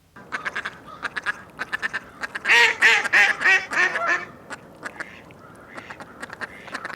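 Mallard quacking: soft, nasal quacks repeated about three per second, broken by a louder burst of harsh, falling quacks midway.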